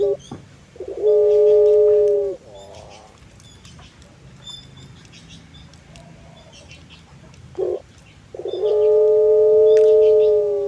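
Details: Collared dove of the puter pelung breed singing: two long, level, resonant coos separated by several seconds of quiet, each introduced by a brief clipped note and followed by a soft fluttering trill.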